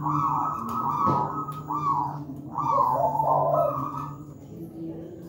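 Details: Local wild-type zebra dove, used as a master recording for training young birds not yet singing, with a big, thick voice and tight spacing. Mellow rolling coos come in warbling phrases over a steady low hum.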